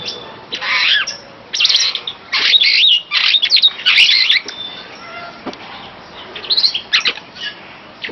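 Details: Superb starling singing a fast, varied stream of scratchy chatter, warbled whistles and harsh squeaks in dense bursts, then a quieter pause with scattered clicks before more brief chattering notes.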